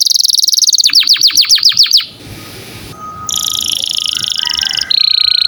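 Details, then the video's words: Canary song used for training songbirds: a high rolling trill, then a quick series of sharp descending sweeps, followed by a hissing noisy stretch and further high buzzy trills. "Kenari gacor cuit cuit cocok buat masteran burung kicau"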